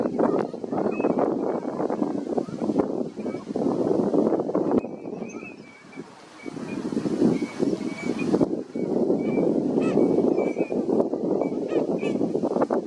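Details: Eurasian teal wintering at Junsai-ike park pond in Chiba, Japan, in February 2025: short, high, piping whistles repeat through the clip over a dense, low rumble of duck chatter and background noise.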